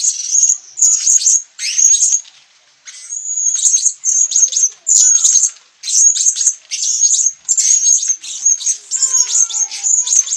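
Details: Sabah, Borneo: a blue-crowned hanging parrot utters rapid, shrill, high-pitched chatter in bursts separated by brief gaps, with soft lower whistles from another bird near the end.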